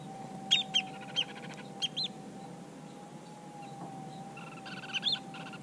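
Long-billed dowitcher giving sharp, high 'keek' notes, singly and in quick pairs, over a steady low hum and faint background noise.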